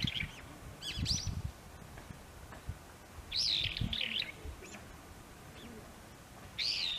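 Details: Brown-eared bulbul at a blooming early cherry, Maekubo Central Park, Moroyama, Saitama, Japan, 17 March 2022; piercing, harsh squealing calls with wavering pitch, coming in short bursts separated by quieter gaps, light low rustling.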